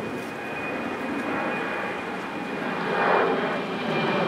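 Steady broadband roar of an aircraft engine with a faint constant high tone, swelling slightly louder near the end; no animal calls can be picked out.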